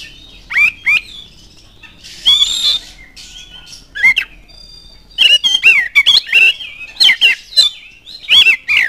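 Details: Oriental magpie-robin lure song intended to provoke other birds of its kind to sing: scattered loud whistles, a harsh rasping burst, then a quick run of sharp whistled notes in the second half.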